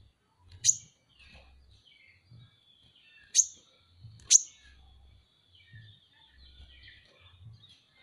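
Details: Van Hasselt's sunbird (kolibri ninja) masteran recording: three thin, very high chirps, one early and two about a second apart later, with faint twittering and soft low bumps between.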